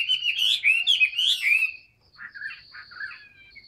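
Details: Caged Chinese hwamei in new plumage, singing with fanned tail: a short burst of loud, slurred, rising whistles lasting under two seconds, then a few quieter, buzzy notes and a faint high thin tone.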